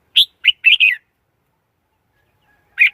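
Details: Short bubbling phrase of four clear, slightly slurred notes from a red-whiskered bulbul, followed by a pause and one more lone note; no other sounds.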